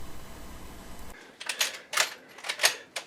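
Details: A low hum gives way to sharp, broadband clicking and tapping bursts, several in quick succession, with no animal voice heard.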